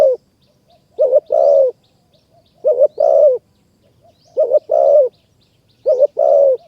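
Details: Spotted dove, a wild forest bird in Kanchanaburi, Thailand, drawn in by a decoy during trapping. Its coos are loud and low, a short double note and then a longer falling note, repeated about every 1.7 seconds. Faint high chirps sound behind.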